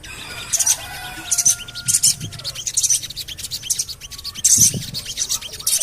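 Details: Javan cochoa call used to coax birds into song: sharp, very high 'cuit' chirps in quick bursts, with a few drawn-out thin whistles between them.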